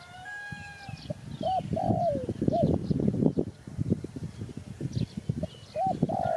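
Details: Spotted dove calling with mellow arched coos followed by a longer slurred, downward croo, the phrase repeating; thin whistles from other birds at the start and a busy low background rumble.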